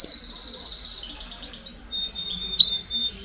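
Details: Softer passage of a canary 'baderna' chorus aimed at young birds learning to sing: a buzzy high trill fades into thin sustained whistles and a few sharp notes.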